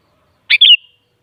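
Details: Kutilang or sooty-headed bulbul phrase for getting a kutilang to sing back: a bright double chirp sliding into a warbling whistle that fades, no background sound.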